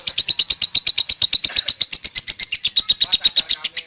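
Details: Konslet song from a lovebird: a long, fast stream of sharp, buzzy chirps at roughly eight per second, steady in pace and pitch across the whole passage.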